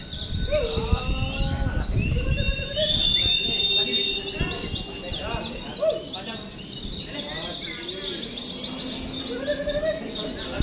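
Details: Group-trained caged Oriental white-eyes deliver a dense chorus of quick high chirps, with stacked whistled phrases and varied lower notes from other birds, plus background noise.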